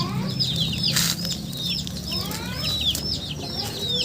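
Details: Chickens peeping in short high notes that slide downward, several overlapping, with a brief burst of broadband noise around the first second and a faint low hum.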